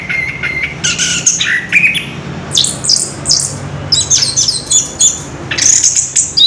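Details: An orange-headed thrush in captivity rolls out a long, wild song, first steady whistled notes, then dense scratchy runs and high chattering bursts repeated with brief gaps.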